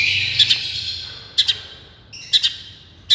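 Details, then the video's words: Long-tailed shrike, miyik-style therapy sound. Sparse, sharp doubled high notes ring out about once a second against a faint low hum. "suaara terapi cendet miyik"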